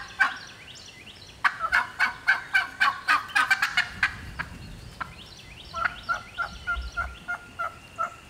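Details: Georgia woods wild turkey hen sounding off by herself: an opening note, then a rapid burst of raspy cutts and yelps, a brief lull, and a second run of softer, quicker clucking notes.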